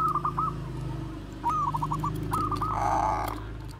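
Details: Bangkok zebra dove in bekur koar-koar style, kept as a lure for other doves: quick stuttered runs of short mellow notes, three bursts closing in a longer coo, over a loud steady low hum.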